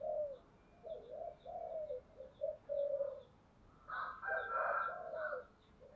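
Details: Spotted dove fighting call in the 'giọng thổ' style: a run of low, mellow coos of varying length, then a louder, rougher burst with higher overtones, heard over a steady background hiss.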